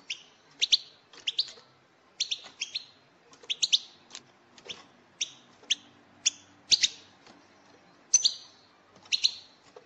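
A European goldfinch gives bright, liquid twittering chirps in quick two- and three-note bursts, roughly one burst each second, over a faint background hum.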